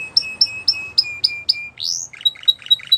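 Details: Spanish Timbrado canary singing for training purposes, a string of evenly spaced sharp chirps about every quarter second, one rising sweep, then a row of clipped metallic notes, with a faint low background hum.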